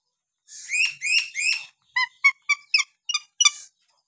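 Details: Lory from Papua calling: three drawn-out, buzzy whistles, then a quick sequence of short, clipped, piping notes.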